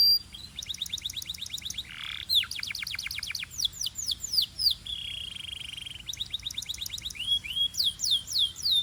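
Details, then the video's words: Belgian canary singing to warm up other canaries and stimulate females: rapid tours of sweeping high notes, a low buzzy rattle near the middle, a flat buzzing tone, then fresh runs of fast rising-falling whistles. "Corner to Warm Up Belgian Canaries and Fire Up Females"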